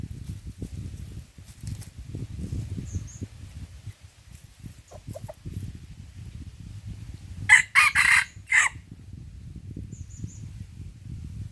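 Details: Red junglefowl in Lamteuba, Aceh, during trapping with a decoy: one short, harsh, broken crow of about a second stands out midway, against a steady low rumbling background with faint scattered clicks.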